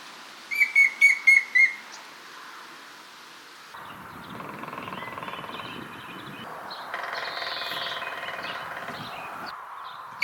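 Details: Grey-headed woodpecker calling: a quick series of five clear whistled notes at an even pitch, lasting just over a second, followed by steady rushing background noise, possibly wind or traffic.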